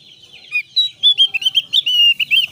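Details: A very active Javan grey-throated white-eye, recorded as a lure to prompt other white-eyes to sing, gives a quick run of high, sweet chirps and slurred whistles, several notes each second, with no other sounds.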